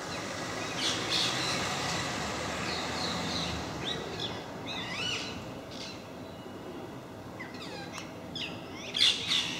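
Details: Parakeets visiting MK park as a group: bursts of screeching and quick sweeping chirps, busier toward the end, over a low background rumble.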